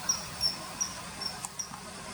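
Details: Common kingfisher at a river, faint brief high whistles, five or six short notes spaced about every third of a second, over background hiss.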